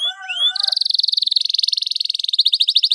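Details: Canary singing as a lure for young untrained canaries: a brief rising whistle gives way to a long, fast, evenly pulsed high trill running nearly three seconds.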